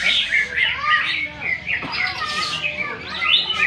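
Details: Greater green leafbird singing in a bird-song contest at a festival in Malinau Utara, where it placed runner-up in its class: a rapid, varied stream of bright whistles and chattering notes, with other birds and human voices behind.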